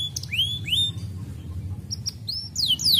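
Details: Canary giving loose, spaced high chirps and upward-sweeping whistled notes, some sliding sharply, over a soft low background hum.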